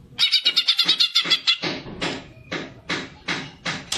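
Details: Greater green leafbird giving a fighter-style song used to provoke other birds into singing: a quick series of sharp, high repeated notes, then scattered harsher clicking notes with short gaps between them.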